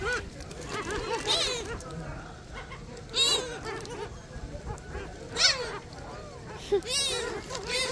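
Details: Noisy flock of gulls at Sinjindo, Seosan, South Korea: many overlapping harsh, arching squawks and cries from several birds at once, with louder near calls standing out every second or two, and people talking nearby.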